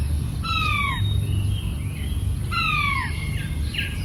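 A king quail gives two clear, falling whistled notes about two seconds apart, with fainter soft notes between, over a steady low rumble.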